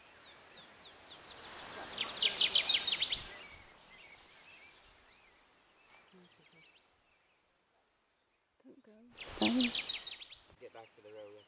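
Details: Kirtland's warbler singing in Huron National Forest, Michigan, on 28 May 2012: a loud, rapid series of bright chipping notes rising into a ringing burst, repeated after a pause, with people talking nearby and faint other birds.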